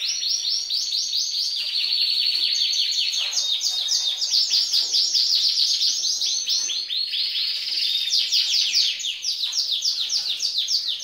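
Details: Singing female canary, imitating male song and arousing the males: long unbroken series of rapid rolling trills, each phrase of quick high sweeping notes, shifting speed and pitch over about eleven seconds.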